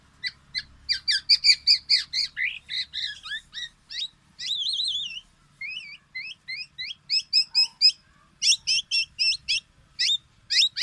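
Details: Black-naped oriole: a long, busy run of sharp, chattering notes, wavering whistled phrases and clipped repeated calls, with a faint low hum beneath.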